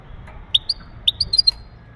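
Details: Male European goldfinch mating calls aimed at preparing a female for breeding: a few short, sharp, high chirps and clipped tweets spaced within two seconds, with quiet background.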